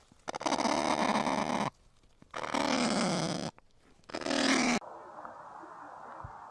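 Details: Kakapo (Strigops habroptilus), call.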